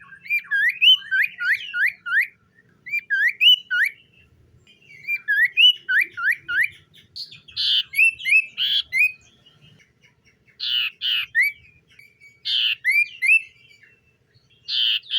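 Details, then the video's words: Common iora morning song: quick runs of three to five hooked, downslurred whistles repeated in groups, broken by several short harsh buzzy notes in the second half. "SIULAN TERMERDU BURUNG SIRTU DI PAGI HARI"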